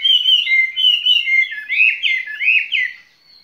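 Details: A caged skylark delivers its spring love song as loud, clean warbled phrases, swooping up and down in quick succession, then fading to a soft thin note at the end.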